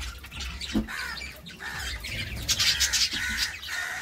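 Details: A pair of budgerigars give harsh, rapid squawks and grating chirps, roughly three per second, growing louder toward the end, with low hum behind.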